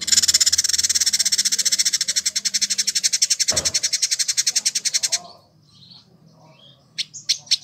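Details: Village indigobird, a year-kept tutor bird from Bandung, West Java, Indonesia, delivers a fast, harsh, buzzy high rattle for about five seconds, fading at the end, followed by silence and a few sharp chips.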